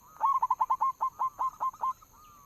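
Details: Local zebra dove lure call, a rapid string of about a dozen short hooked whistled coos, slightly slowing and spacing out toward the end.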